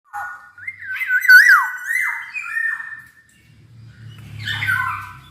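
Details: Black-naped oriole singing: fluid, warbled whistles that slide up and down, followed by harsher, nasal notes over a low droning hum.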